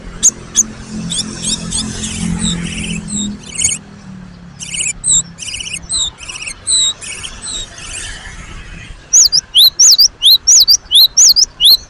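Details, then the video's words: Cinereous tit, gelatik batu, singing: jumbled high chittering and thin notes, ending in a quick even string of loud upslurred whistles. "GELATIK BATU GACOR ?? SUARA BURUNG GELATIK AMPUH NGOTOT emosi"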